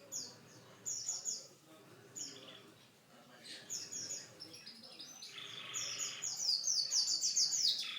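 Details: Caged pet canary singing a varied song of high, fast trills and rapid chattering phrases, rising toward a louder, dense trill near the end, with soft background murmur.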